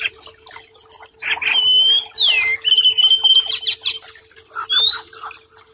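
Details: White-rumped shama singing in a training recording for stressed, silent birds: long pure whistles, some level and some rising sharply, mixed with short sharp notes in a quick uneven run, with a faint steady hum.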